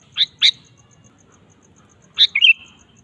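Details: Sooty-headed bulbul in lively singing form, used as a lure sound for a kept bird: two sharp chirps, a pause, then a fuller phrase of a sharp note and a liquid, warbled whistle, over a faint ticking background.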